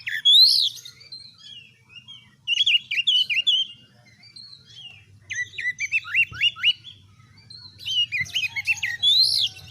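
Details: Kept oriental magpie-robin in full song: loud arched whistles, scratchy mixed phrases and a run of five quick upslurred notes, repeated in bursts about every three seconds over a faint low hum.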